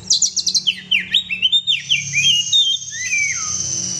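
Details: Loud song from a pet oriental magpie-robin: a fast burst of rapid high chips, then swooping downslurred whistles, followed by a long steady high whistle and a descending slurred note, over a faint hum.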